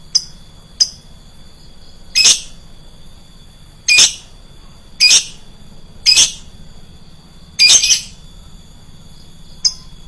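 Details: Shrill lovebird lure call: loud, harsh, rasping squawks roughly every one to two seconds, with a few short, thin chirps between them, over a faint steady high tone.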